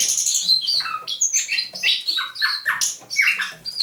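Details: Captive thrush nightingale from near Saint Petersburg, caught May 2019, singing at dawn 27 November 2021: a rushing sequence of stepped whistles that drop in pitch, interlaced with buzzy chirps, delivered almost without pause.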